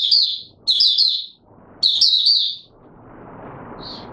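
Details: Oriental white-eye in courtship mode inside a cage, producing three quick bursts of high, sweet twittering, followed by steady broadband hiss and one faint short chirp.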